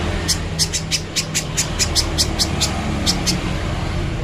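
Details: Little spiderhunter song recorded as a clear training recording for other birds: a run of sharp, high, clipped notes, some doubled, over a steady low rumble of traffic or engine noise.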